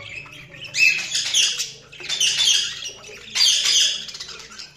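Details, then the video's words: Budgerigars chirping: three loud, harsh, squawky bursts of chatter, each lasting about a second and coming roughly every 1.3 seconds, over a faint low hum. "Budgies Sounds| Budgies Chirping sound"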